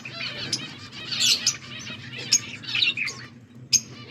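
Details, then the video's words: Budgerigars as pets, August 14, 2024: warbling chatter with several loud, sharp high chirps standing out at intervals, over a steady low hum. "Budgies sounds for lonely birds birds chirping sounds"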